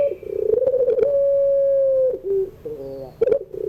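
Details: Puter pelung Barbary dove in afternoon song, meant for tutoring young birds. A pulsing, bubbling phrase leads into a long flat held tone of about a second, then a dip into lower rolling coos and more stutters.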